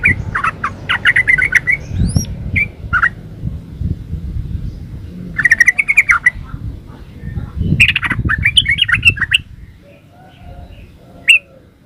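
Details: Yellow-vented bulbul, 'gacor ropel uplik' singing meant as a master song: short bursts of gurgling, liquid notes separated by pauses, with thumping handling noise and low rumble underneath, then a single late chirp.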